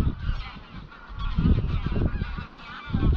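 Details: Greylag geese on their dusk flight to Llyn Maelog near Llanfaelog, Anglesey, a flock of some 200–300; several honks overlap, with louder gusts of wind buffeting the microphone around the middle.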